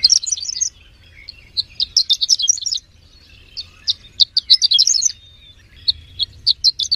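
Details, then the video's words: Horsfield's bush lark, a third-place competition winner, singing in bursts of high, bright chirps and twittering notes, broken by short pauses, over a faint low hum. "SUARA BURUNG BRANJANGAN JUARA 3"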